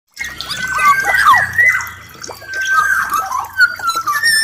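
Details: Black-naped oriole singing actively, a run of loud, fluid whistled phrases sliding up and down, with a short pause midway before a second rich, warbling phrase; background is otherwise quiet.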